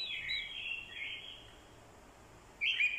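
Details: Male orange-headed thrush decoy giving fighting song, triggered by a female's call: a drawn-out slurred whistle fading over a second, a quiet stretch, then a sudden bright burst.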